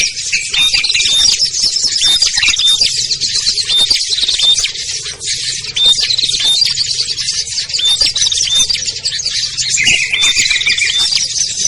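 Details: Mixed small-bird lure chorus for calling down shy birds like ciblek, kutilang, trucuk, sogon and perenjak: steady shrill chattering with regular short whistles and a harsher squawking burst late on.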